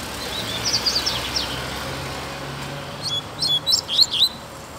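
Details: Free double-collared seedeater in a residential area gives a soft twittering run, then a louder string of crisp, rapidly repeated high chirps; low hum throughout.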